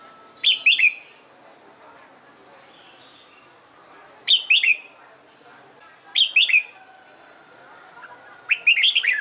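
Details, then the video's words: Red-whiskered bulbul in training for competition singing, delivering short bright warbled phrases with sharp whistled notes, repeated about every two seconds over quiet background. "LUYỆN CHÀO MÀO HÓT ĐẤU/ CHÀO MÀO MÚA HÓT CHÉ VUI NHỘN"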